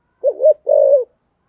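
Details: Decoy spotted dove, start of 2023, 'thổ' voice style: a brief two-part coo, a short rising-falling note then a longer level hollow coo sliding down at the end, in quiet surroundings.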